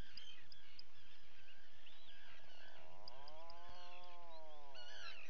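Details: Common guillemots feeding chicks, captured by a live camera on 28 June 2020: scattered sharp high peeps, then a loud, deep, harmonic, arching croak lasting about two seconds, with more peeping at the end and low background rumble.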